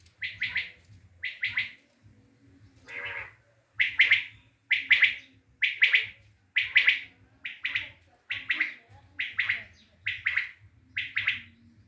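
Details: Common quail from Tajikistan giving its three-note call, a rapid triple of sharp notes repeated about once per second, roughly eleven phrases in a steady series over a faint low hum.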